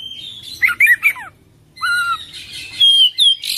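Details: Kacer (Oriental magpie-robin) singing its full isian ngerol song. A quick chattering trill of looping notes pauses briefly, then a clear downslurred whistle sounds, followed by bright, high drawn-out whistles.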